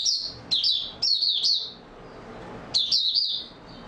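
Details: White-eye (Mata Puteh), 28 February 2022, singing its opening song steadily: high rippling chirp phrases, three in quick succession, a pause, then one more bright twitter.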